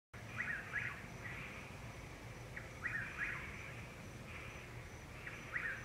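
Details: A Chuck-will's-widow, calling in the dark to find a mate in late April or early May in Florida with tree frogs, repeats its rhythmic, whistled 'chuck-will's-WIDow' phrase every couple of seconds.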